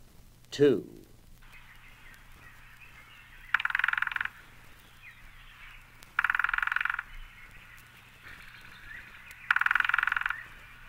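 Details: Red-headed woodpecker (Melanerpes erythrocephalus), call.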